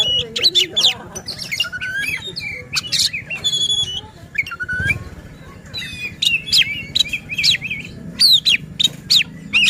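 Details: Provocation song of a white-rumped shama, used to make other shamas sing: dense bursts of sharp chips, rising whistles and twittering phrases over a low background rumble.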